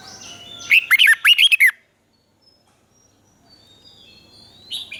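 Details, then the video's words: A Thai caged red-whiskered bulbul delivers southern master-style song, played to make birds lively and to train young birds. There is one loud, fast phrase of rolling, slurred notes, then near silence and a faint closing chirp. "เสียงนกกรงหัวจุก สำหรับต่อ หรือ เปิดให้นกคึก เสียงเพราะๆ"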